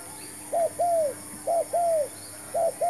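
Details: Coos of a spotted dove serving as a decoy for trapping: clear two-part phrases, short note then longer curved note, given three times in quick succession against a low steady hiss.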